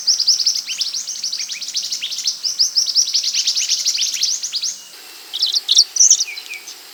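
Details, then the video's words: Scarlet minivet singing for a bird-training recording: about five seconds of fast, crowded high chirping, then an abrupt cut to a few louder, looping whistled notes. "MASTERAN BURUNG MANTENAN ( SEPAH HUTAN ) GACOR"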